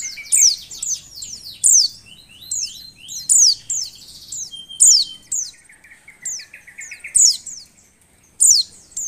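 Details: A female Oriental white-eye in breeding condition, whose call is used to stir lazy males to sing, gives bursts of thin, very high chirps sliding steeply down, in quick clusters every one to two seconds, with softer lower notes between.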